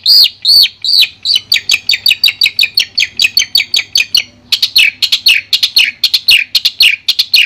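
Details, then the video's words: Clear masteran song of a Madura long-tailed shrike. A few arched whistles lead into a fast, even chatter of sharp high notes, then a run of downslurred whistles with quick clicks between them. "Suara Jernih Masteran Burung Cendet Madura"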